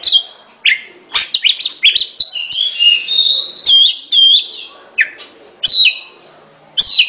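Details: Oriental magpie-robin singing in bursts: clustered sharp chirps and slurred whistles, a sustained wavering whistle mid-phrase, then short separated whistled notes with pauses between.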